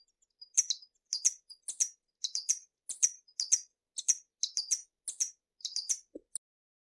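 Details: Hummingbird uttering quick doubled high chips in steady succession, twittery and sharp, with a brief lower note near the end.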